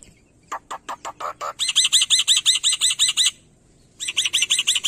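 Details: Black-winged myna (Sturnus melanopterus), an Indonesian mimic of other birds, singing: five clear rising whistles, then a fast run of harsh, chattering notes about seven per second, pausing and starting again.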